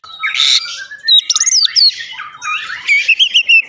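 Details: Oriental magpie-robin (kacer) song in 'ngeplong' style: harsh noisy opening note, then bright swooping whistles and a fast rattling series of short notes.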